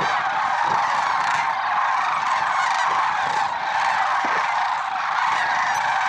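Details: Lesser sandhill cranes in the early morning at Merced National Wildlife Refuge on 6 February 2023, a massed flock producing a thick, continuous clamour of rolling, trumpeting calls, with several individual cries briefly louder than the rest.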